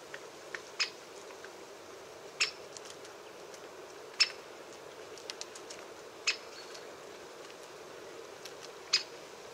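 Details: Five sharp, loud 'kik' calls from a great spotted woodpecker at irregular intervals of about two seconds, each a quick piercing click, with scattered faint ticks and an even hiss behind.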